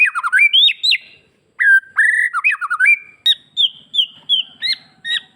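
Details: White-rumped shama from Bali pouring out a rich song of mixed whistles, upward and downward slurs and sharp chips, repeated quickly to prompt other shamas to sing in reply.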